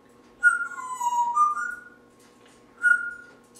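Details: A talking Timneh parrot kept as a pet indoors whistles a sliding phrase that dips and then rises, followed by one short, clear whistled note after a gap, with a faint room hum.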